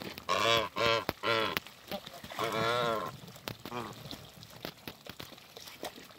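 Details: A mature pair of Toulouse geese meet again after being moved, the farmyard birds giving three loud, harsh, nasal honks in quick succession, then one longer drawn-out honk and a few softer, shorter calls among rustling noises.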